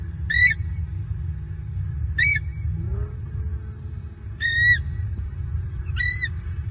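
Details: Nesting eagles in Southwest Florida call out at night after an owl-like bird flies toward the nest, November 2022; four separate shrill, thin squeals spaced about two seconds apart, with a faint low groan midway and constant low hum.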